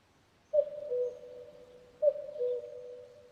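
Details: Common cuckoo repeating its descending two-note cu-coo twice, roughly one and a half seconds apart, the tones clear and sustained with an echoing tail and little other sound.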